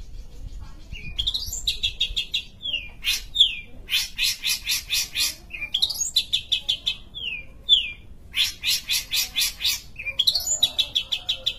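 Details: A Long-tailed Shrike (Lanius schach) of Sumatra sings a run of harsh, scratchy chattering bursts about a second each, broken by quick rising whistled slurs, with no other sounds.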